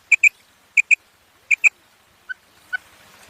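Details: Female quail calling, in three clear pairs of short, sharp, high notes spaced about two-thirds of a second apart, followed by two fainter single notes; otherwise quiet.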